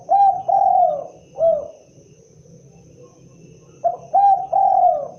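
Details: Cooing spotted dove, local name derkuku or tekukur: two repeated phrases of soft hollow coos, short notes leading into a long drawn-out coo and a falling final note, separated by a quiet gap.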